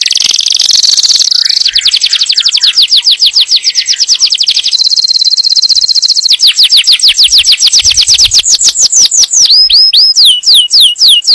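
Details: Song of a yellow canary, meant to ready the female for breeding and to teach chicks; opens with a buzzy roll, moves into fast rattling trills, and closes with slower hooked whistles repeated about three per second.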